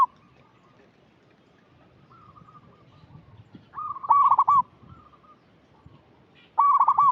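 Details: Lure call of a local zebra dove, meant to stimulate untrained birds. Long, soft, level coos lead into two loud phrases of rapid stuttering notes, each closing with a rolled flourish.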